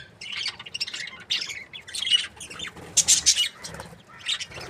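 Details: Budgerigar breeding pairs give rapid, raspy high chirps in short clustered bursts, several overlapping notes, with brief quieter gaps between groups.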